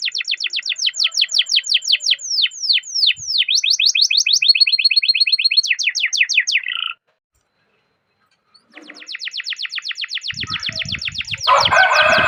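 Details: Domestic canary singing a long rolling song, used as a tutor recording to stimulate other canaries: rapid repeated down-slurred notes, then steady buzzy trills. A short silence follows before fast trills return, ending over a harsh noisy burst.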